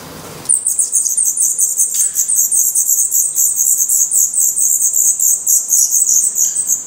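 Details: Black redstart nestlings in a nest in Portugal, eyes open and growing definitive feathers, begin after a brief quiet moment a steady, continuous, very high buzzing hiss that runs unbroken to the end.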